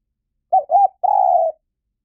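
A Spotted Dove gives three soft, mellow coos: two short notes followed by a longer, drawn-out one. No other sounds are heard.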